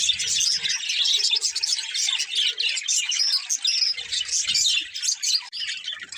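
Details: Happy budgerigars chirping together: lively, jumbled high twittering with scratchy warbled phrases and quick squeaks, dipping briefly near the end, faint low thumps in the background.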